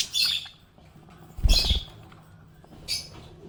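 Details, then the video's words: Pet budgerigar, described as happy, giving three harsh, buzzy chirps about 1.5 seconds apart, the middle one accompanied by a low thud. "Happy budgie chirping sound"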